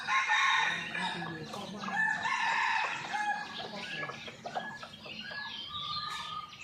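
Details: Red junglefowl filmed by a hidden camera on a morning after a storm, very active. A loud crow-like call opens, followed by rapid clucking and chattering, with high chirps and whistles from other birds in the background.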